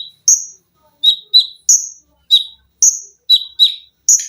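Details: Olive-backed sunbird, a cage bird, giving a sharp, high-pitched training song with shrill 'lengkingan' and 'besetan' phrases: spaced piercing whistles alternate with slightly lower doubled chips, with quiet gaps between them.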